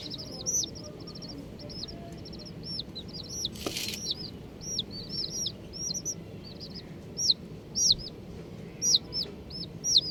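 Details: Colourful baby chickens, young chicks peeping: short high hooked chirps, often in quick pairs or triplets, scattered irregularly about once a second, with a brief broadband rustle near the middle over low steady background noise.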